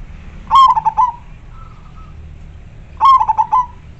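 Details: Loud, clear-voiced local zebra dove used to lure wild doves repeats its cooing phrase twice, about two and a half seconds apart, each a burst of quick rolling notes; a faint thin tone sounds between them.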